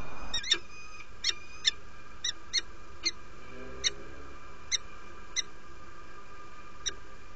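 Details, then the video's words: Female peregrine falcon arriving at the nest and inviting, Derby, UK, 17 February 2017 at 07:47; short sharp harmonic chips repeated irregularly, about a dozen in seven seconds, over a steady low hum. "Female arrived to the nest , invites"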